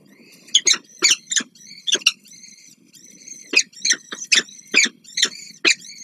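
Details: At a Warsaw nest on the Palace of Culture, 26 April 2024, peregrine falcons bring prey and the female feeds her young: dense, grating, rhythmic calls in quick runs, with thin whistled tones threaded between them.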